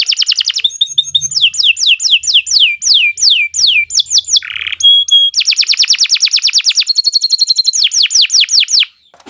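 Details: Canary singing continuously, a recording for training other birds: trills, falling whistled sweeps, a harsh buzzy note, a high pure tone, then very fast rolling trills and more downslurs before fading out.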